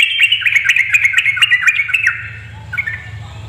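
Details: Bubbly, rapid chatter from a female yellow-vented bulbul luring males to sing. The uneven notes tumble on for about two seconds, then fade to a few brief chirps over a low hum.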